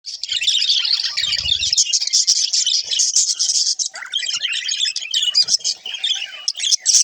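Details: Pet budgerigars interacting together, a dense continuous warbling chatter of chirps, squeaks and trills, high and busy throughout, with no voiceover.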